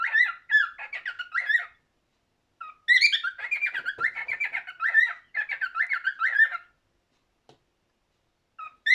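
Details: Cockatiel song: strings of looping, wavering whistles broken by quiet gaps, with a sharp rising chirp opening the longest phrase and another starting at the very end.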